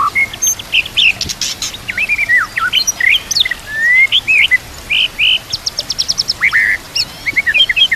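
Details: White-rumped shama (murai batu) song used as masteran for training murai birds: a rich, fast medley of whistled slurs, upsweeps and rapid chip notes, continuing without pause.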